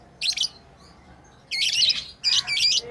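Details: Lovebirds at play, pet birds, let out one short shrill chirp, then after a pause two longer, rough, chattering bursts in quick succession.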